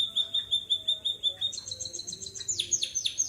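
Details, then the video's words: White-headed munia singing in a canary-like style: a run of clear high whistled notes repeated about three times a second, then faster rising and falling trilled phrases and sharp downward-sweeping chirps. "Burung Emprit Kaji Gacor Bersuara Burung Kenari"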